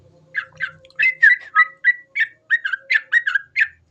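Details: Sooty-headed bulbul delivering a chattering run of short whistled notes, some slurred downward, spaced unevenly, with a faint steady hum in the background.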